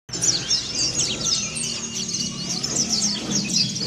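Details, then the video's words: Mountain white-eye from Kelud in the continuous 'ngeriwik sambung' twittering style, used for training other birds to start singing: rapid high thin chirps and short twittered notes run without pause over faint low background hum. "PLECI DAKUN KELUD NGERIWIK SAMBUNG BUKA PARUH"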